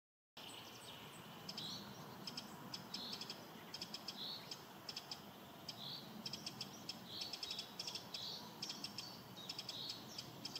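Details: Eurasian wren (Troglodytes troglodytes) alarm call in spring: a dry, scolding alarm of hard ticking clicks and short rattles, repeated every second or so over a soft, steady background hiss.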